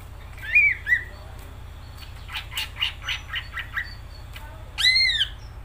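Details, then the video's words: Song of a greater green leafbird, a few clear slurred whistles followed by scratchy buzzy notes and a loud arching whistle at the end, over a low constant hum. "Cucak ijo gacor"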